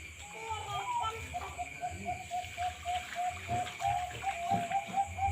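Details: Bangkok-type zebra dove in breeding cages at a bird farm in Bondowoso, giving quick runs of short, even, mid-pitched cooing notes, about four per second, over a steady mechanical hum and low background rumble.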